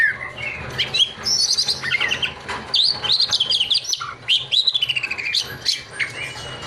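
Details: Kacer, the Oriental magpie-robin, in lively song: varied whistles and scratchy warbled notes, some rising and falling, with a quick stuttering burst of repeated notes near the end over a low steady hum.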